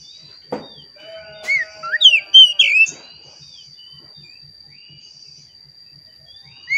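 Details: Oriental magpie-robin lure song for caged birds: a sharp click, then a quick cluster of varied slurred whistles lasting about a second, followed by near silence and one more whistle at the end.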